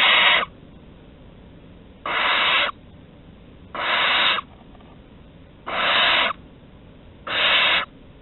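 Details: Barn owl chicks at the nest entrance in Théding on 15 August 2020, during prey deliveries: five harsh hissing screeches of about half a second each, spaced roughly every 1.8 seconds, over a quiet background.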